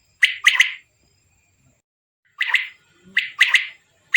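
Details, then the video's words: Male quail calling in a village setting: sharp, clipped notes in quick bursts of two or three, a short pause, then further grouped notes, bright and loud against a quiet background. "Amazing quails calling | batair ki zabrdast awaz"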